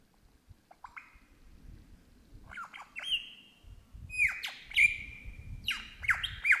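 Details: Wild superb lyrebird in Australian bush mimicking birds such as crow, kookaburra and magpie: a rising run of sharp, downward-swept squawky notes and drawn-out whistles, quickening toward the end over a low rustling background.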